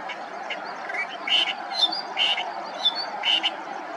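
Clamorous reed warbler giving loud, harsh, chattering phrases with a few clear whistled notes, about one burst a second, over a steady rushing background.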